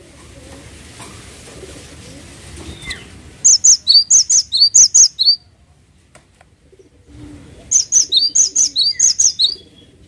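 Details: A cinereous tit (gelatik watu) singing actively, two separate bursts of rapid, piercing high notes in descending pairs, each bout about two seconds long, with a quiet gap between and a low background rumble.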